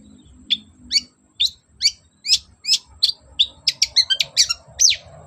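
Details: Long-tailed shrike singing hard, offered as a lure so a silent bird will respond: evenly spaced high chipping notes that speed into a rapid jumble of twittering, scratchy calls toward the end.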